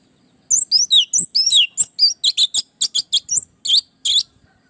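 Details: Song of an orange-headed thrush kept to train and provoke other birds: a fast sequence of high, looping whistles and sharp chirps, delivered in quick bursts with short gaps, in an otherwise quiet setting.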